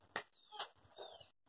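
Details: A captive female green-winged saltator, after bathing, "cries" to solicit attention from its keeper: a few short, harsh, whiny begging notes within about a second and a half, over a faint steady hum.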